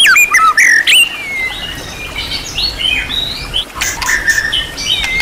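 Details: Champion-class white-rumped shama with a full set of mimicked phrases (isian), used as master training material: quick sliding whistles and sharp flicks, then softer varied chirps and a drawn-out whistle.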